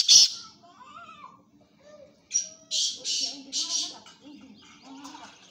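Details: Black francolin (kala titar), kept as a tournament calling bird. A sharp squawk opens, then after quieter murmuring comes a grating phrase of a short whistle and three rough, buzzy bursts, with soft background chatter.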